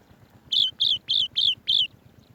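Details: A swallow-tailed bee-eater bringing bees to feed its babies gives five quick, high, slightly rolling chirps in close succession, each dropping a little in pitch, over a faint low background hum; Swallow-tailed Bee-eater.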